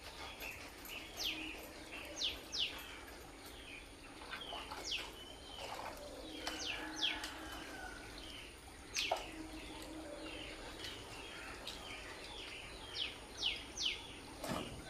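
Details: Colourful lovebirds kept in a cage. Sharp, high chirps sweep downward, given singly and in quick bursts of two or three throughout, over a faint steady hiss.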